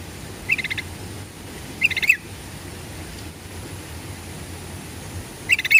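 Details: Short bubbly phrases of a sooty-headed bulbul, used as a lure to prompt birds to reply, three brief chirpy bursts spaced well apart against constant low background noise.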